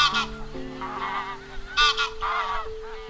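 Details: Wild goose; flock call; calling the flock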